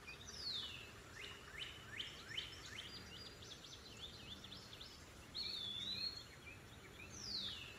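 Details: Eastern wood pewee: a clear slurred whistle rising then dropping near the end, with a downslurred note after it, following a busy stretch of rapid descending chirps from other birds.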